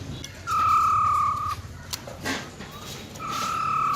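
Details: Wild-type song of a female silver-eared laughingthrush, meant to stir males into singing: one long, clean, level whistle, a quiet gap with faint clicks and background noise, then a second drawn-out whistle.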